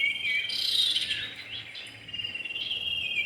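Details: Common iora, male and female, heard in a lure recording: a short run of high whistled notes over a steady, shrill insect-like background tone.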